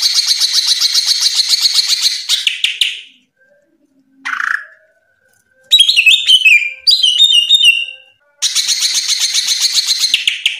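A greater green leafbird sings loud, rapid, high chattering bursts, broken by sharp whistled notes and varied twittering phrases.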